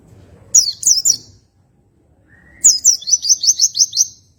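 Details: Song of an oriental white-eye in relaxed rolling style: a brief high chirping burst, a pause with one lower whistle, then a fast run of about eight repeated high buzzy notes.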